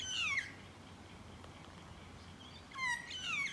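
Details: Magpie calling during a close encounter: a short, clear descending whistled note with harmonics opens, a pause of about two seconds follows, then a pair of similar falling notes near the end.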